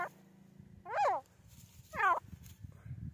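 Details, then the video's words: Grey francolin, known locally as teetar, giving two loud, harsh, stacked calls about a second apart, each note bending downward, over a steady low hum and faint background rustling. "Grey francolin teetar ki awaz francolin call"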